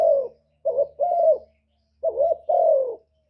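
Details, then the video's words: Low, mellow cooing of a spotted dove kept as a caller to draw in wild doves: a falling coo, then two paired coos with a drawn-out descending note, repeated twice, with no other sounds. "CU GÙ CỰC SUNG BÀI BẢN DÙNG ĐỂ MỞ KÍCH CHIM BỔI, TERKUKUR, Tiếng chim cu, cu gáy kích bổi"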